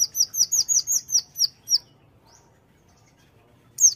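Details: A dozen loud, high, slurred chirps tumble out quickly, slowing toward the end. A pause follows, then one sharp closing note. Sung by a konin in strong voice, imitating a white-eye.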